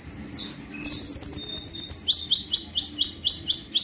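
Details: Konin, the brown-throated sunbird, delivering a 'tembakan' burst: a dense high buzzy trill followed by a steady run of sharp rising chips, about four per second, over a soft background hum.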